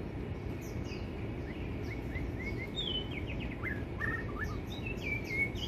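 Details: White-rumped shama singing a varied series of short, clear whistled notes, some rising and some falling, with brief slurred phrases toward the end. The notes sound somewhat distant over a steady low rumble of background noise.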